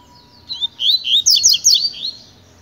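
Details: Double-collared seedeater, a pure-song tutor bird used for training, singing a quick series of high buzzy, twittering notes in short bursts, with a faint steady tone in the background.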